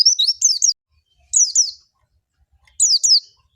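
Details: Lure recording of an oriental white-eye's ngalas song meant to get other white-eyes singing: three short bursts of two or three high, quickly falling notes, separated by pauses of about a second.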